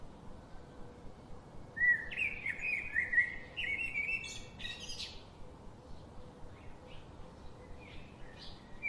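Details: Birds that come to a garden every day, chirping: a lively run of warbled, stepped notes for about three seconds, followed by scattered short high chips against a constant low background hum.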